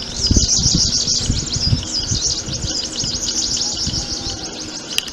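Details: Dense, high, buzzy trilling and rapid chirping from a prinia, almost continuous throughout, with low background rumble and a sharp click at the very end.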